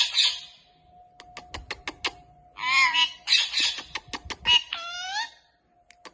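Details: Pet Indian ringneck talking parrot, which is said to say Allah hoo and many other words, producing raspy, speech-like phrases with wavering tones, mixed with sharp clicking taps and a steady background hum.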